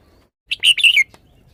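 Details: Caged red-whiskered bulbul from Thailand showing its song phrasing, a short bright phrase of about five quick whistled notes, the middle notes loudest and warbling, ending on a falling slur, quiet background.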